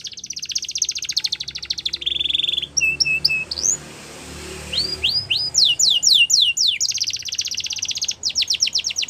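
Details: Belgian canary song for training young canaries: buzzy high trills, short whistled notes and rapid descending strokes, with a hissing background noise between phrases.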